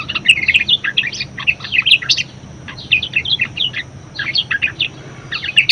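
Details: Budgerigar song used to prompt and tutor other birds: lively bursts of shrill, chattering notes separated by short gaps, with sharp clicks at the start and end.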